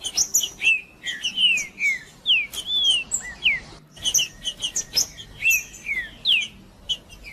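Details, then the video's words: Green-winged saltator (trinca-ferro) male in macheando song, a display to fire up rival males: rich whistled notes sliding down and up, grouped in rapid phrases with brief gaps and sharp high clicks mixed in. "Trinca-ferro Macheando com Trinca ferro cantando Para Esquentar Trinca ferro"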